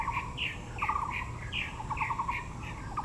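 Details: Taiwan blue magpie among azaleas in Yangmingshan National Park, Taipei. Quick rattled bursts alternate with sharp squeaky notes, tumbling on busily for three seconds against a low ambient hum.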